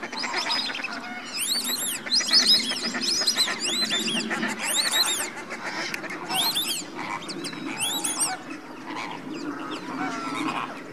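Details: Slimbridge greater flamingo flock in January before bedtime, crowded honks and bleating calls overlapping, with bright arched notes recurring about every second over a low murmur.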